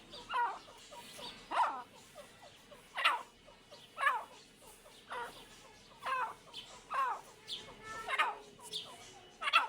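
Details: Two partridges, named locally as Irani teetar, giving harsh bursting calls about once a second with faint clicking chirps between them and a low constant hiss behind.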